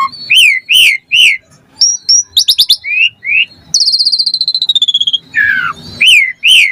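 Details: Lively Asian pied starling song, rich in imitated phrases, played to stimulate lazy starlings to sing: arched whistles repeated in pairs, a quick stuttering series, then a long sliding buzzy trill before more looping whistles.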